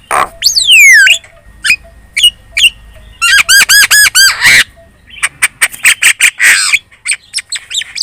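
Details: Chattering Javan myna lure song meant to prompt other birds to answer: a long falling whistle, scattered clicks, a fast buzzy trill of rising notes, then harsh rasping squawks.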